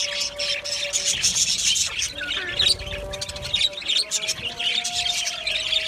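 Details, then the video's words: Aviary flock of Australian budgies chattering: a constant stream of bright, raspy chirps and twittering from several birds, peaking around two and a half seconds, with a faint steady tone in the background. "Budgie birds chirping sounds"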